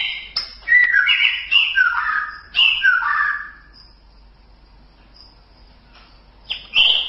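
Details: White-rumped shama song for training other birds: two quick phrases of varied whistles and descending slurred notes, then a long pause before another loud note begins.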